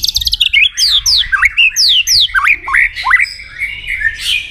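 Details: White-rumped shama singing aggressively to provoke a rival: a rapid chatter of high notes, then loud downward-slurred whistles repeated about three per second, with hooked dipping notes and a fading warble.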